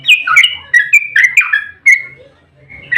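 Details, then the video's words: Provocative fighting song of a sooty-headed bulbul: several sharp, liquid chirps and slurred whistles in quick succession, then a short quiet spell before another note. "Trucukan GACOR ROPEL TERPANJANG buat pancingan trucuk agar cepat bunyi"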